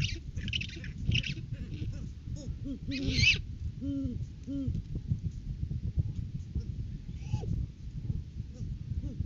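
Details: Great horned owl pair at the nest on a January live cam, courting season, male arriving with a rodent gift; a few low hoots in pairs among loud scratchy rustles and bumps, quieter near the end.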